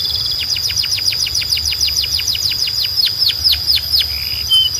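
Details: Belgian canary singing, said to be calling other canaries to sing: a fast run of descending sweeps repeated about four per second over a steady high whistled tone, ending in short trills.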